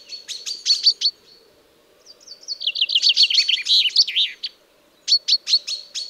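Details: Common chaffinch, recorded as a hunting lure: a quick run of sharp high notes, a gap, then a rolling trill that steps down in pitch and ends abruptly, followed by another cluster of sharp notes; a steady faint hum sits underneath.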